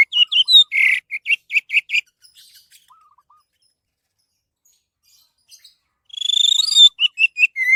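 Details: Orange-headed thrush singing, a recording meant as a lure for other birds: rapid runs of short high chirps and whistles, a pause with soft low notes, then a quick rising buzzy trill followed by clipped whistles.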